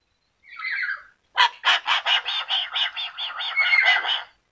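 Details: Yellow-crested cockatoo, described as able to talk, starting with a short hoarse note, then a fast stuttering run of raspy pulses that gradually loosen into a buzzy chatter.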